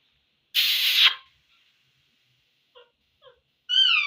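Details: A pet rose-ringed (ringneck) talking parakeet gives a harsh, raspy half-second screech, then two soft clipped syllables and a clear, bright tonal note that rises and bends, like mimicked speech.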